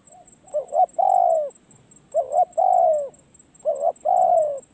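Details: Spotted dove, a decoy gaining perch experience, calls three times in rhythm. Each phrase is a soft double note, then a long mellow coo sliding down in pitch.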